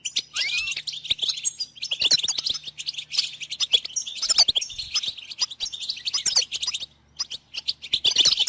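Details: Goldfinch song for teaching chicks and stimulating songbirds: lively, jangling twitter of rapid high notes and buzzy trills, with a brief curling whistle early on and short pauses near the end.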